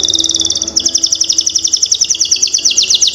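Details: Canary singing as a lure for young canaries: one buzzy trill switches into a faster, even chain of sharp repeated notes that continues steadily, with a faint low hum underneath.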